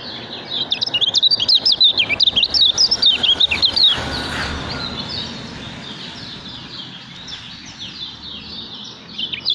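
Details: Kecial kuning, the lemon-bellied white-eye, in ngejos song. A loud, rapid burst of high, jumbled chirps comes about two or three per second for four seconds, then softer twittering continues under steady hiss.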